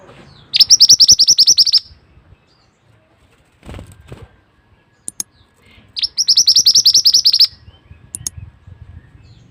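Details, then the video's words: Two quick trills of piercing, high repeated notes from a mantenan, each about a second long and several seconds apart, with faint fluttering and tapping noises between them. The recording serves as a masteran training song. "suara burung mantenan super unik"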